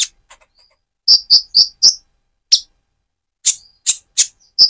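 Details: High chirping song of a speckled Van Hasselt's sunbird moulting to metallic plumage, used to rouse another bird: groups of three or four sharp piercing notes with short pauses between.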